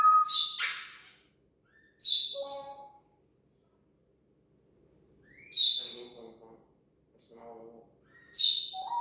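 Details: Pet talking parrot imitating sound effects: loud bright harmonic bursts, a clear whistled note at the start, separated by short silences, with lower buzzy chattering notes between the bursts.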